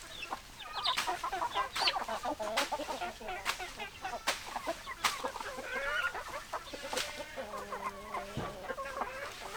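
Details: Flock of hens and roosters clucking: busy overlapping clucks and squawky calls, a few sharp clicks or knocks, one drawn-out low moan near the end.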